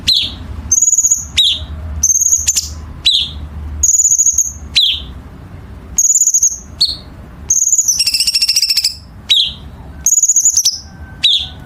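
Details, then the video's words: Chinese bulbul training song for competition birds: a steady sequence of short, high, slurred chirps and brief buzzy trills repeated roughly every second, with one longer rattling burst midway and a soft low hum behind. "Masteran Cucak Cungkok Istimewa"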